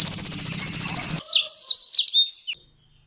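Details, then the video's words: Canary song for training competition songbirds: a loud fast-pulsed buzzy trill for about a second, then a run of high slurred chirps ending abruptly in silence. "KENARI GACOR UNTUK MASTERAN BURUNG JAWARA"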